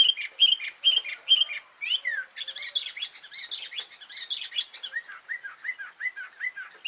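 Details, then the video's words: Sooty-headed bulbul isian song: a few clipped, repeated chirps, then a fast tumbling stream of varied notes, ending in a run of short downward-slurred whistles. "Isian burung kutilang"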